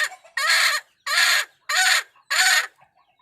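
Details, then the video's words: Wild hen calling the rooster; four loud, harsh, even squawks about half a second long, spaced roughly every 0.6 seconds, with no other sounds. "tiếng gà mái gọi trống"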